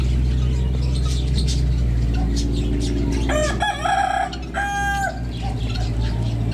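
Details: Rooster crowing in the morning on a trip to the Eifel: a loud, harmonic-rich crow in two drawn-out parts, the second held level, heard over a steady low engine-like hum.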